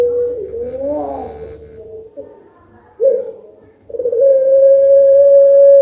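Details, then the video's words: Collared dove of the puter pelung contest type, used as a lure to prompt singing. A wavering rising and falling note, quiet pauses with brief bursts, then a level drawn-out coo building at the end. "pancingan biar gacor burung Anggungan puter pelung. langsung nyaut"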